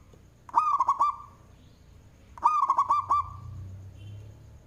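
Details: Loud-voiced local zebra dove singing as a lure: two cooing phrases of five or six rapid rolling notes, about two seconds apart, over a faint low rumble.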